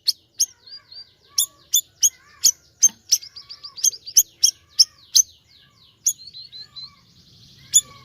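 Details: Lively siri-siri bird song: sharp high chirps in uneven clusters, interwoven with soft twittering trills and gentle falling whistles, a quiet low hum underneath.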